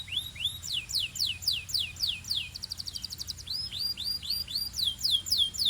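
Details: Belgian canary song: loud, rapidly repeated downward-sweeping whistles, a quick buzzy roll in the middle, then more rising and falling whistled notes at about four per second.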